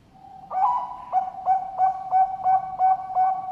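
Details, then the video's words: Captive ringed zebra dove of the Bangkok type from a bird farm in Sidoarjo, East Java, Indonesia, giving a complete melodious song: one longer coo followed by a steady series of about eight clipped, resonant coos, each roughly a third of a second apart. "PERKUTUT BANGKOK SUARA LENGKAP IRAMANYA SYAHDU"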